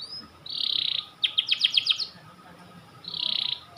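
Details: Domestic white panda canary in sustained song: dense buzzy rolled trills alternating with a quick series of sharp descending chips, then another rolling trill; clean high-pitched delivery with a faint steady hum beneath.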